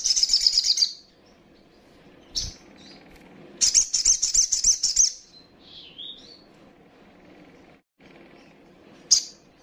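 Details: A young female little spiderhunter calls as a lure for rivals. A rapid shrill chirp series, a pause, a longer run of fast sharp notes, a few soft warbled notes, then a single high chirp.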